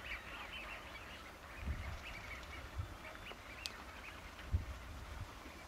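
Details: Wintering Eurasian wigeons at Ouse Washes, UK, October 2013: a steady chorus of soft whistled calls from many ducks, broken by low buffeting thumps and one sharp click.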